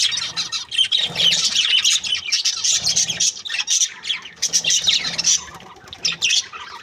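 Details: Breeding pair of Australian budgerigars chattering happily: steady run of high, harsh squeaks and chirps mixed with clicky notes, briefly softer near the end.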